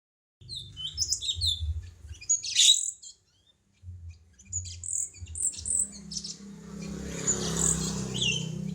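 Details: Cucak cungkok bulbul in a tutoring recording for songbirds: high, quick chirps and short whistled slurs, a sharp burst near the middle, then a hissy rushing passage, over a steady low hum.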